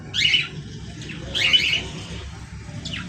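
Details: Two loud, rough parrot squawks about a second apart, then a fainter third call, against a low droning hum.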